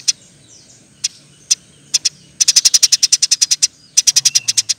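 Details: Song of a Eurasian tree sparrow meant for training other birds: a few isolated high chirps, then a dense rattling series of rapid chirps, a short break, and another quick burst.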